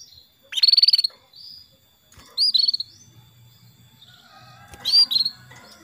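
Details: Calling female canary, played to draw a male into energetic singing. Three short trilled chirps, rapid pulsed notes with a bright upward flick, spaced about two seconds apart, with faint low hum between.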